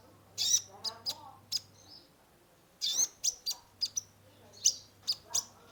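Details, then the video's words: Sunbird (kolibri ninja) song used as a lure for a stressed caged bird: bursts of sharp, high chirps separated by a short pause, then a renewed quick twittering run. "Terapi pancingan konin gacor full isian mengatasi burung stress !!"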